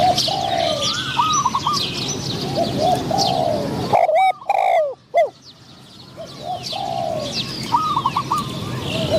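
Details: Decoy spotted dove calling to lure wild doves, a medium-voiced wild bird responding. Repeated phrases of three or four clipped coos followed by a longer falling coo, interrupted midway by loud rattling knocks, with other birds twittering behind.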